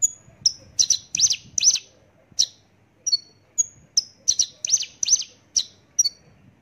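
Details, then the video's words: Javan bush lark delivering a lively string of high, sharp chirps, some doubled and strongly accented, with brief gaps between bursts, against a quiet background. "branjangan javanica"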